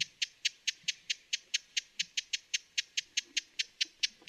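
Broad-billed hummingbird giving a steady run of dry, high chips, about four to five per second, over a faint low background hiss.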